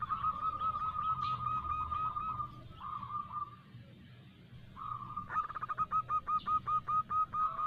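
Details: Local female zebra dove used as a lure, calling for a male: soft rolling coos at first, a quieter pause, then a clear rapid series of short bouncing hooked notes over light background noise.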